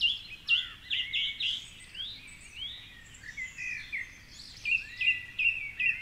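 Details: At 4.45am on a Sunday by the Curragheen River in Cork City, Ireland, a song thrush sings from its treetop perch: a fluty phrase repeated three times, a varied run of whistles, then a clipped note repeated four times.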